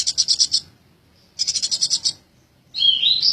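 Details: Eurasian tree sparrow, tame, delivers two fast runs of six or seven high, evenly spaced chirps separated by silence, then a short warbling twittered phrase.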